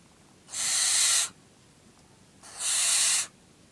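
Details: During feeding, a nine-week-old barn owl produces two rough, airy screeches of nearly a second each, roughly two seconds apart, with little other sound.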